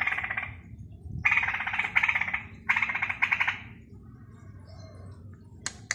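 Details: Straw-headed bulbul in Balikpapan learning to sing: loud bubbly warbled phrases with a rich harmonic structure, given in three bursts of about one second each with short pauses, then fading into faint twittering and a sharp click.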